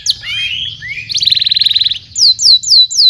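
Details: Canary song meant as a model for young canaries: warbled slurred notes, a rapid buzzy roll lasting about a second, then four loud, clear whistles sweeping downward, evenly spaced.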